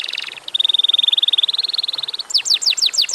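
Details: Canary singing a short bout meant to prompt other canaries to sing: a long steady high rattling trill, followed by quick downward whistled sweeps repeated several times.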